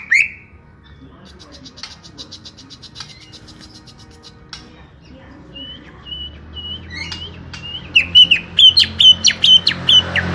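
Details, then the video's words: Small-bodied greater green leafbird building from quiet scattered notes to a fast series of loud, sharp, ringing whistled notes, repeated roughly twice a second toward the end. "Setting Cucak Hijau Body Kecil"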